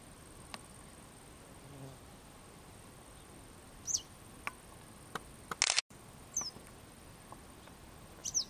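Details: Western yellow wagtail calls: sharp, high, descending notes heard three times at irregular intervals, with scattered faint clicks and a brief loud crackle midway against a quiet background.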